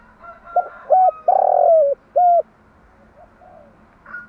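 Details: A female spotted dove coos in the morning, a recording used to lure and train doves. It gives a quick series of short hoots around a long burry downward-sliding note, followed by quiet and a faint rustle.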